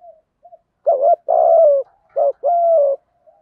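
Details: Spotted doves, male and female, cooing to lure wild birds; two-part coos, a short hooked note then a longer falling coo, given twice in clean silence.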